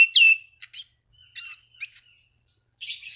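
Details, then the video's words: Orange-banded thrush song meant to draw rivals into singing: a loud slurred whistle followed by scattered short chirps and twittery fragments, ending in a harsh buzzy burst. "Anis Cendana Gacor MEMANGGIL LAWAN Pancingan burung anis lain agar berkicau"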